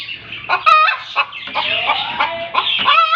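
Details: After laying an egg, a hen gives a loud squawk, then a string of choppy clucks and harsh notes, and ends with another strained, drawn-out cry.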